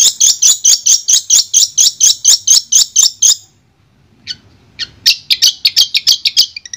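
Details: Sound therapy for a silent long-tailed shrike, meant to restart its singing: a loud, regular run of sharp high notes about three a second, a brief pause with a few faint notes, then the run resumes.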